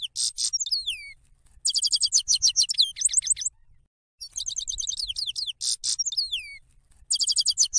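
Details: Sped-up loud European goldfinch song, said to come from a female and used to attract birds for trapping: repeated bursts of fast, bright, chattering trills with downward-gliding whistled notes, separated by short silences, the phrases recurring as a loop.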